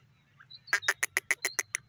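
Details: Grey francolin, known locally as teetar, calling: a faint whistle followed by a rapid run of about eight loud, harsh clicking notes in under a second.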